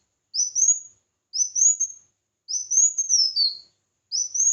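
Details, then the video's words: Competitive song of a red-whiskered bulbul: four high whistled phrases that sweep upward then fall, one longer phrase ending in a lower slurred note, spaced roughly a second apart in quiet surroundings. "Chào Mào Hót Đấu"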